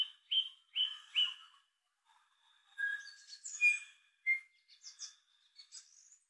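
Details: New Zealand bellbird at Kapiti in June 2023: three clear, ringing notes in quick succession, the characteristic three-note call, then a varied phrase of liquid chimes and higher squeaky notes; otherwise quiet.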